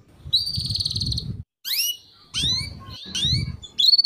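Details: Female canary chirping as a tutor for young canaries: a buzzy wavering note, then a run of bright, downward-sweeping chirps ending in a quick trill, over a low rumbling background.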